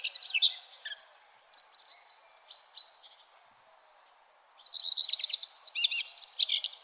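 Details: Sunrise birdsong in the early morning: a high warbled phrase, a few thin whistles, a quiet gap of about a second and a half, then a fast, rattling series of chirps and twitters.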